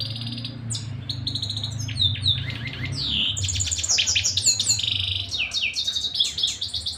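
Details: Continuous canary song of fast, high chattering trills and sweeping whistled notes that build into dense, rolling phrases, with a steady low hum underneath throughout.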